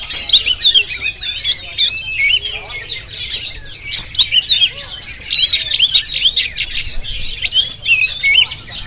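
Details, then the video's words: Oriental magpie-robin of the Jampang type in Indonesia singing a long, dense run of high, varied chirps and whistled phrases, quick rising and falling notes tumbling almost without pause. "Penampilan Kacer JAMPANG yang Tampil Menggoda"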